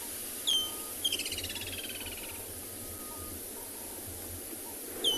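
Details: A Woodland Kingfisher gives a sharp high note, then a long downward-sliding trill and another sharp note, over insect or wind hiss; a late-season call on a 18 March 2021 morning drive near the Timbavati, South Africa, where the species still calls regularly.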